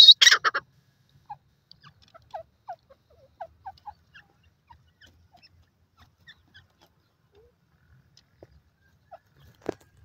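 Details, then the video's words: A francolin (teetar) gives a harsh, grating burst of notes lasting about half a second, followed by soft scattered chips and a single sharp click near the end. "teetar bird speeking,irani teetar calling,teetar awaz"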